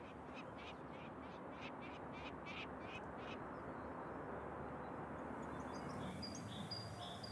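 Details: A peregrine falcon, a protected species, near its nest gives a harsh, rapid series of grating notes, about eight in three seconds, warning off anyone who comes too close, then falls quiet over a steady rush of wind.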